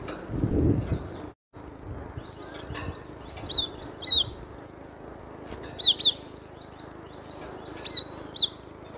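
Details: Cinereous tit giving a loud song of high, thin, down-slurred whistled notes in short scattered bursts, with a brief low rumble and a gap near the start.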